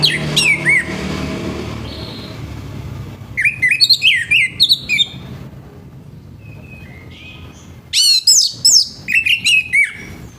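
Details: Harsh morning song of an orange-headed thrush, meant to get other orange-headed thrushes to start singing. Quick groups of scratchy looping whistles come in bursts, with quiet stretches between them and a faint low rumble.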